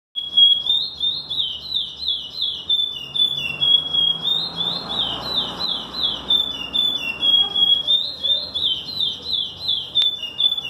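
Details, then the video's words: Chestnut-bellied seed finch (curió) singing a long, continuous run of clear, high warbled whistles, rising and falling in looping phrases without pause. "Curió Doidinho"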